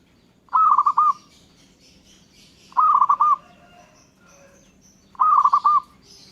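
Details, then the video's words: Local zebra dove repeating its song as other birds answer: three matching phrases of fast, bubbling coos, one roughly every two and a half seconds, with faint high-pitched calls of other birds between the phrases. "Gara-gara Perkutut lokal ini, burung lain Langsung Nyaut dan Ngayer"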